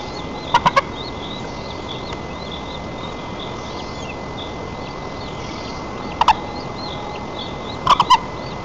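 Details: White-tailed eagle (Haliaeetus albicilla) at a nest 35 m up in Lower Kama National Park, Tatarstan, during chick feeding on 4 May 2024, giving a trio of sharp yelps, a lone note, then another trio, over hiss and electrical hum.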